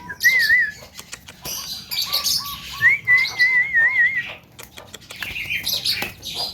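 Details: Young Javan myna's melodious song with fills: wavering high whistles, a row of short looping notes below, and scratchy chatter between phrases.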